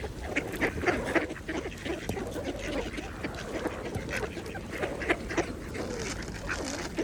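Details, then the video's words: A group of mallard ducks feeds at a pond, producing a continuous mix of low nasal quacks and chuckling notes, several per second, with louder bursts amid constant watery dabbling. "Ducks Feeding at the Pond | Mallards"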